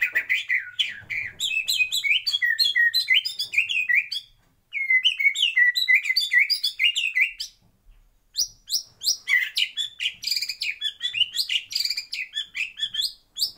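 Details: Full song of a white-rumped shama in a breeding aviary: rich, fast-varied phrases of sweet whistles, chirps and trills, delivered in three long bursts separated by short pauses.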